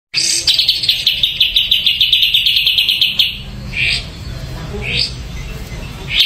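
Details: Ashy drongo singing: a rapid, buzzy trill of fast repeated high notes runs for about three seconds, followed by a few short upslurred whistles spaced about a second apart.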